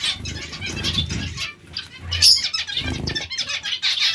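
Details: Colony of zebra finches heard as a chorus of overlapping short, bright calls, interrupted by bursts of fluttering wings and soft low thumps.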